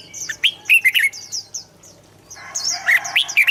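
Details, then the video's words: Red-whiskered bulbul song played to excite birds and train them to sing: short liquid warbled phrases in two bursts, with a dense chatter of many high chirping birds behind. "เสียงนกกรงหัวจุก สำหรับต่อ หรือ เปิดให้นกคึก เสียงเพราะๆ"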